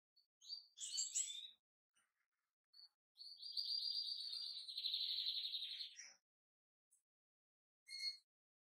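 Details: A caged pair of white-chinned European goldfinches singing: twittering high notes, then a sustained, rapidly pulsing trill lasting about three seconds, ending in a sharp chip.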